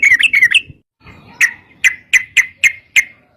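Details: Yellow-vented bulbul in fast fighting-style song, played as a lure for other bulbuls: a quick bubbly phrase, a pause, then single sharp chirps repeated roughly every quarter second.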